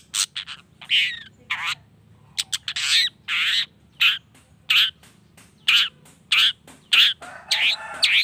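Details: Long-tailed shrike sounds meant to rouse other shrikes into singing: fast scratchy chips running into repeated harsh rasping bursts, around one and a half per second, some with a brief squeaky whistle.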